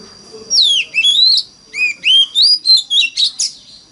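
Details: Oriental magpie-robin singing a 'mountain forest voice' lure song meant to prompt other magpie-robins to sing along. Clear, high whistled notes, some sliding down and others rising, in quick separate bursts about every quarter second, with a faint steady tone behind.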